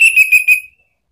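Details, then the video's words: Lure song of an orange-headed thrush meant to draw an answer from a pet bird: a short run of four quick, pulsing whistled notes on one pitch, trailing off. "jangan heran kalau ANIS MERAH mu seketika NYAUT ¦ PANCINGAN NGEPLONG"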